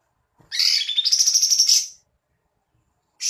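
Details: Cream-vented bulbul in full song with its tail spread like a fan: a single phrase of about one and a half seconds, a sharp rising note followed by a fast, even, pulsing trill. The next phrase begins at the end.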